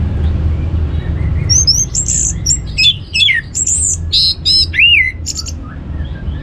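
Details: Orange-headed thrush song played to stimulate other birds to sing: a rapid run of varied loud whistles, slurred up-and-down notes and harsh chirps in quick succession over a steady low hum.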